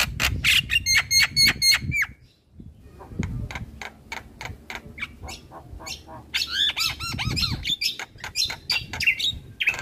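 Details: Javan myna training song for young birds: repeated rasping strokes with paired steady whistles, then looping squeaky whistled phrases over a low background rumble.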